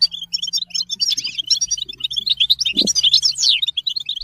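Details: Goldfinch song as a rapid, liquid stream of bright twittering notes and buzzy flourishes, dense and unbroken, over a faint low hum and one soft knock in the second half.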